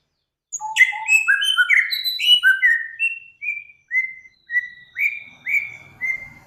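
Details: Master song recording used to tutor cage birds, featuring Samyong, Kancilan Flores and Garugiwa: an opening tumble of bright whistles, then a steady series of similar downslurred whistled notes repeated about every half second.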